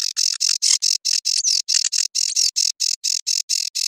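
Sedge warbler song: a steady run of harsh, scratchy, high chattering notes about four per second, with a couple of brief whistled slurs woven in.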